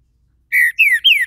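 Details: Green-winged saltator held by a registered Brazilian breeder, starting its song with three loud rich whistles: a level note, then two notes that rise briefly and glide down.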